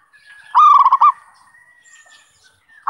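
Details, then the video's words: Luring song of a zebra dove: one loud, fast phrase of run-together cooing notes, then a faint thin whistle and quiet background, with the next phrase just beginning. "SUARA PIKAT PERKUTUT"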